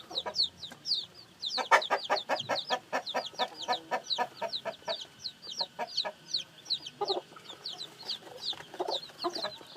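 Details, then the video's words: Newly hatched chicks cheeping in high descending notes, mixed with a burst of sharp broadband clicks and tapping near the start and scattered knocks later. "Âm thanh gà con mới nở kêu"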